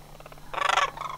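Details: A single rolling, guttural rattle from a sandhill crane during autumn migration at Homer in September 2009. A softer pulsed trill comes before it.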